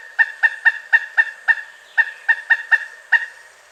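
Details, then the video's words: Repeated loud kuk calls from a North American pileated woodpecker, a dozen clipped notes in slightly uneven rhythm with a brief break midway. "Pileated Woodpecker Sounds: Call, Drumming, Mating Voice & More Explained!"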